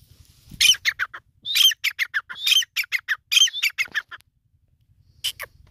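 A grey francolin gives loud, harsh, high squawking notes in rapid clustered phrases, four bursts over four seconds, then a single note after a pause.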